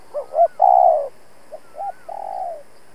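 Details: Spotted dove decoy giving its urging coo at rivals: two quick hoots then a long sustained coo, repeated twice, with a faint thin whistle in the background.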